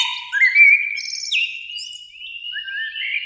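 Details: Spring evening song of a Eurasian blackbird, one of two in a beech tree beside a lake: long gliding whistled notes slurring up and down, with higher twittered flourishes over the top.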